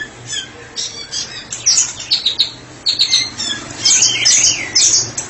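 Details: White-rumped shama, a tutor bird for training other birds, singing ngeplong style: scratchy high notes at first, then looping, warbled whistles in the last seconds, with soft flutters in between.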